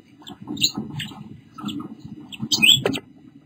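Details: Pink Bourke's parakeet, a caged pet mother with her two babies, recorded 7-8-14 at 5:43 pm Pacific time: soft, short chirps and twitters, then a sharper squeaky note near the end, over low rumbling background noise.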